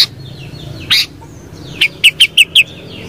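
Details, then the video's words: Sooty-headed bulbul, known as kutilang, with one early note and then a quick series of five short bubbly whistles near the end, faint background chirping. "Suara Burung KUTILANG"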